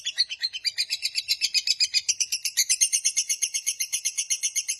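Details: Long lovebird 'ngekek' trill used to lure and train lovebirds: fast, regular, high-pitched chattering notes, about eight per second, continuing without a break.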